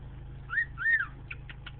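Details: A pet cockatiel whistles when its owner asks it to, giving two clear, arching whistles that rise and then fall.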